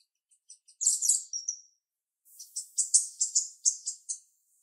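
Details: Female jalak rio-rio starling with a sharp voice: a few thin chips lead into a harsh, buzzy burst, then after a pause a rhythmic series of loud, scratchy high notes repeated rapidly.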